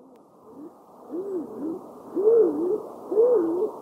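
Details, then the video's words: Stock dove calling: low, hollow coos, each note arching up and down, given in paired phrases about once a second and growing louder toward the end, with a quiet background. "Клинтух. Голубь. Голоса птиц"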